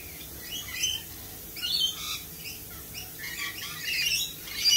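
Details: Lorikeets give harsh, high screeching squawks in bursts roughly every second. The calls overlap and build to a loud shriek at the end.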